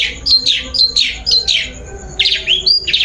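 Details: Lure song of a long-tailed shrike used to set another bird singing: short, sharp high notes about twice a second, several falling or hooked, ending in a rising whistled slur; a faint steady high tone runs underneath.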